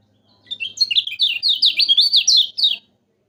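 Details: Yellow-vented bulbul song intended to get silent kept birds singing: one continuous phrase of about a dozen quick, high, chattering notes that rise and fall, with a faint low hum beneath.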